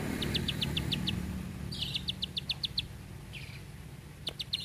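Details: Bar-winged prinia giving short runs of high, dry clicking notes, each run of five to seven notes, with a buzzier note cluster between runs and low traffic-like rumble in the background.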